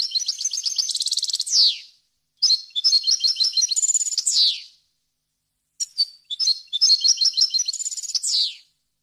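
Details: European goldfinch singing a clean, varied song used to tutor young birds and goldfinch hybrids: three high bursts of rapid twittering trills and tinkling notes, each ending in a descending buzzy sweep, separated by short pauses.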